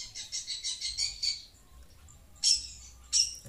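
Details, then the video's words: Long-tailed Shrike reacting to sound from a phone: a quick run of six scratchy high notes, a short pause, then two louder isolated rasps. "Burung pentet cerewet dengar suara hp"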